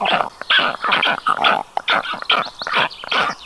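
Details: Black stork at a nest in Karula National Park, Estonia, on a hot day with chicks panting: harsh, wheezy, nasal calls in quick bursts, about two a second, rising and falling through a rasping middle pitch.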